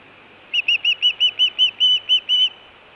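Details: Osprey at the Hellgate nest calling in June: a short burst of about eleven clear whistled chirps, evenly spaced several per second, with light background hiss.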